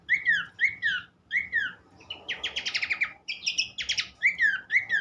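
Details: Horsfield's babbler, used as a lure recording for caged songbirds, gives evenly spaced downslurred whistles, then two fast buzzy trills, then more falling whistles.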